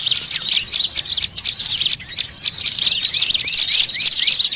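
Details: Lure call for catching small birds: a busy flock-like din of thin high chirps and short upslurred whistles, densely overlapping and steady throughout, briefly quieter near the middle.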